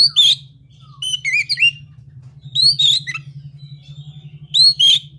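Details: Kacer, the Oriental magpie-robin, delivering bright whistled phrases, upslurred notes and quick warbled notes in separated bursts, with a constant low hum beneath.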